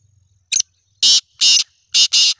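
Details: A black francolin, seven months old, utters a short rasping note and then four loud, grating, broadband bursts in a clipped rhythmic series.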